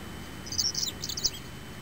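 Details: Hellmayr's pipit recorded on 25 September in Sector Cajón, Araucanía Region, giving a quick run of high, thin, sibilant notes in two brief bursts against a faint low background hum.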